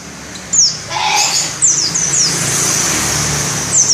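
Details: Pleci dakun ngalas white-eye delivering a shrill open-beaked rolling song; a few high, sharp downward-sliding notes appear in scattered pairs against a loud, steady rushing background noise.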